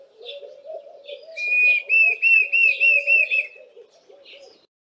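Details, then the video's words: Diederik cuckoo giving a loud whistle-like call: a strong series of sliding whistled notes, repeated quickly in a run of about two seconds, with Laughing Doves cooing low and steadily in the background throughout. "Diederik Cuckoo calling"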